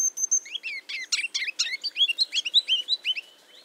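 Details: A Ruby-crowned Kinglet sings in winter in eastern North America. A few thin, very high notes lead into a quickening run of bright, musical twittering that ends in several louder, emphatic notes.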